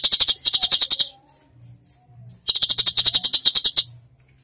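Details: Cucak cungkok in 'gacor full tembakan' style, used as training material for songbirds: two bursts of rapid, sharp, high chattering notes, about a dozen per burst, separated by a short pause with faint low murmurs.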